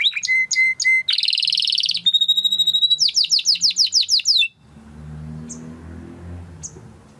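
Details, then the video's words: Timbrado canary training song: several clear whistled notes, a buzzy high roll, a long steady tone, and fast falling notes repeated about five times a second, then soft distant chirps over low background rumble. "Υour canary will sing UNSTOPPABLY"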